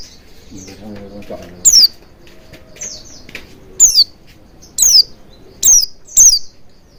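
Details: Oriental white-eye calls used to coax singing: scattered high falling notes, spaced about a second apart, with softer chirps between and a brief low humming sound near the start.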